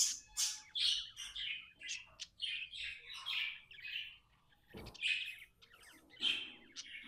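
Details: Tame budgie in a contented mood, giving quick bright chirps and short warbled notes in a steady chatter, with a brief pause near the middle before the chirping resumes.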